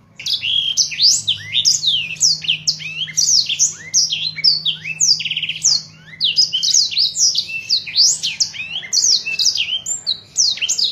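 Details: Black-throated canary in full song, suitable as a tutor recording for other birds: a fast, unbroken twittering warble of high sweeping and trilled notes, with a faint low electrical hum underneath.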